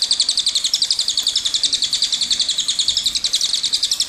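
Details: Cililin singing a long rolling song meant for tutoring songbirds, heard as an unbroken rapid series of high chirped notes, about four per second, shifting slightly in pitch throughout.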